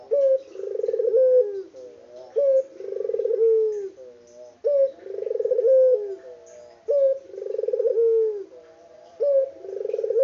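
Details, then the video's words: Local puter dove, described as an especially lively singer, recorded in its original unedited sound. It repeats five evenly spaced low coos, each made of a sharp rising start, a rapid pulsing roll and a sustained falling note. "BURUNG PUTER LOKAL GACOR ISTIMEWA"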